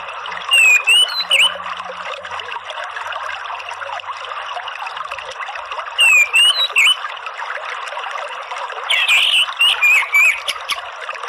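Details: Orange-headed thrush (Geokichla citrina) therapy song for provoking other birds to sing: three bursts of rich song with high sliding whistles and quick chattering notes, separated by pauses, over a steady hiss like trickling water.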